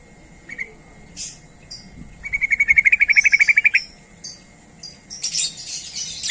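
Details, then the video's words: Sooty-headed bulbul calling to draw replies from other bulbuls: a short note, then a fast, even series of chattering notes lasting about a second and a half, followed by scattered high, hissing sputters. "Trucuk Apapun Pasti Langsung Nyaut Dengar Suara Panggilan Trucuk Gacor ini"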